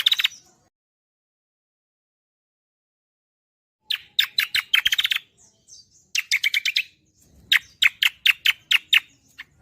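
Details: Cucak kombo song in gacoran form: a short burst, then a long silence, then rattling chirp series in three bouts, the last made of widely spaced loud sharp notes.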